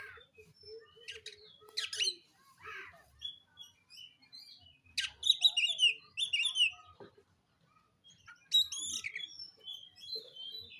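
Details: Singing to seek a rival for a fight, a dark-form oriental magpie-robin gives scattered phrases of sharp chips, clear whistles and a low steady note, then dense squeaky, slurred bursts that rise and fall over about ten seconds.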